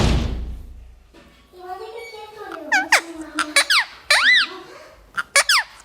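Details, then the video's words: A talkative parrot gives squeaky, speech-like sounds: a low murmuring voice, then several sharp, arching whistled syllables and quick squeaks in short bursts. "Most beautiful talkative parrot"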